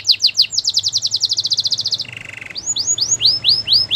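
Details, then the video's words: Training song of a canary: a rapid high trill of repeated notes lasting two seconds, a short low rattle, then evenly spaced curving whistles, with a faint low hum beneath. "Canary training song"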